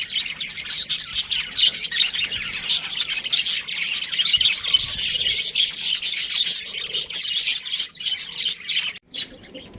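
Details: Pet budgerigars chirping: a dense, continuous stream of rapid high twittering and chattering chirps, overlapping and unbroken throughout, with a brief pause near the end.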